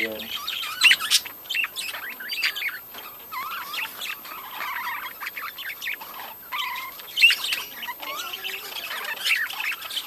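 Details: Flock of budgerigars at a breeding colony chattering: quick twittering warbles, whistled slides and occasional squawks, varied and unbroken throughout.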